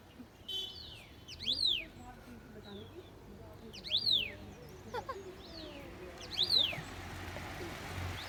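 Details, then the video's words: Three high, arched whistled notes, each rising and falling steeply, come roughly every two and a half seconds, with faint softer chirps and steady low background noise. "Bird 🦅 Chirping sound"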